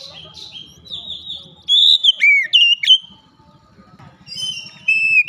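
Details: Oriental magpie-robin singing loudly with its beak wide open: loud whistled phrases with sharp downslurred notes near the middle and a later burst of high notes, between quieter warbling; a low background hum throughout.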